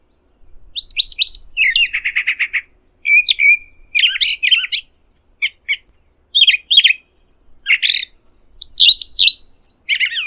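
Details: Brown thrasher singing in nature: a loud, varied run of short phrases, rapid buzzy trills, sharp chirps and whistled notes high in pitch, many phrases given in quick pairs with brief pauses, clean background.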